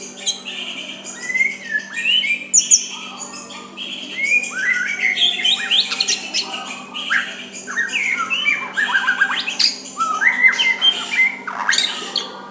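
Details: Long run of soft white-rumped shama song used to draw a rival into replying: continuous varied whistles, slurs and rapid chattered notes with high squeaks, and a constant low hum behind.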